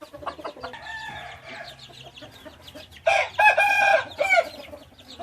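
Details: Hybrid red junglefowl rooster crowing: after a second of scattered chirps and clucks, a loud harsh harmonic crow bursts in and runs about a second and a half. A shorter final note follows, with other birds chattering faintly throughout.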